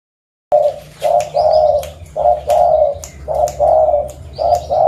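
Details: Local zebra dove from Reului, Mutiara, Pidie, Aceh, Indonesia, calling as a lure to attract other birds: mellow trilled cooing phrases, each half a second to a second long, repeated in close succession with brief pauses between them.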